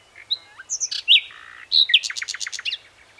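A common nightingale sings a varied phrase of whistles, a buzzy rattle and a quick run of sharp repeated notes, all high and rich against a quiet background.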